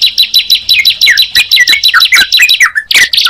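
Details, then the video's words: Sunda pied chat and yellow-vented bulbul singing side by side. Clear downslurred whistles and sharp chirps follow one another quickly, ending with a louder burst of notes. "Suara Ciblek Dan Trucukan Jika Dipertemukan"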